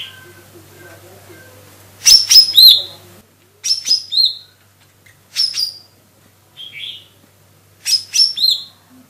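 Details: Singing vigorously, a lesser green leafbird (cocak ijo mini, Chloropsis cyanopogon) gives repeated short phrases of high whistles and sharp downslurred chirps about every one and a half seconds, with a low hum at first.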